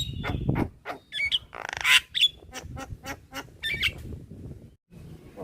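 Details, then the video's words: Lively black-winged myna song, white-eyed form, meant for training caged birds: a rapid run of dry clicks, a rasping buzzy burst in the middle, and short squeaky whistles, over faint low hum. "Jalak Kebo gacor Suara Asli / Masteran Jalak Kebo Mata Putih / Masteran Jalak Kebo Manggut2"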